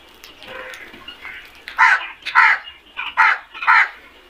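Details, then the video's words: A flock of black crows: after quieter background calling, four loud, harsh, broad caws burst out roughly every half second in the second half. "Flock of black Crows beautiful sound effect"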